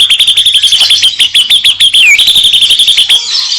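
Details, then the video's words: White-rumped shama (murai batu) in 'isian' song: rapid, evenly repeated sharp high notes, several per second, with a brief down-slurred whistle midway before the series fades into softer chatter. "kicau murai batu.. fuul isiaaan"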